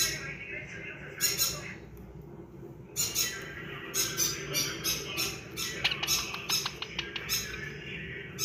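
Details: Yellow rose-ringed (ringneck) parakeet chicks (Psittacula krameri) give harsh, raspy squawks in short bursts, several per second at times, with a low background hum indoors.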